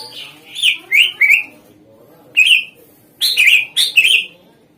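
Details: A greater green leafbird's lure sound to make other birds sing back: varied buzzy chattering phrases in quick pairs and triplets, separated by a short quiet gap.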